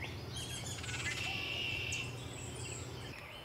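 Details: Baltimore oriole calls at a nest at Salt Point visited by both parents on 27 June 2020: a busy run of high, quick chirps and a brief steady whistle, over a low background hum.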